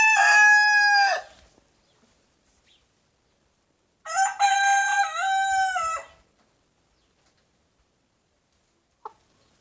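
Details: Young big brown rooster crowing in the morning in a backyard, where a Silkie rooster chases him almost every time he crows; two loud harmonic crows, the first short and level, the second longer with a falling stepped ending.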